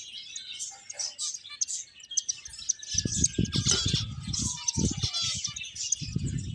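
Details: Finches at play chirp in a busy high-pitched chatter, joined partway through by low knocking thumps and a short sliding whistle.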